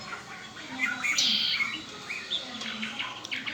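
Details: A kept Red-winged blackbird gives a short, hoarse buzzy trill among softer chirps, over a steady hissing background.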